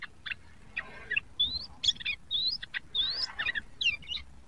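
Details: Immature sooty-headed bulbul learning song alternates bright rising whistles with clusters of chattery, buzzy notes in an uneven, halting pattern.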